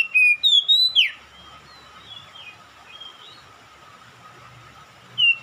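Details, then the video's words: Oriental magpie-robin calling and answered by another magpie-robin: a burst of loud, clear whistled notes rising and falling for about one second, then near silence with faint distant notes, and another short whistled phrase at the end; steady low hum underneath. "KACER MEMANGGIL | KACER LAIN LANGSUNG RESPON GACOR"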